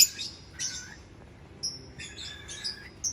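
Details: Lovebird producing thin, whistled chirps and short squeaky notes at a moderate pace, with a high twittering undertone.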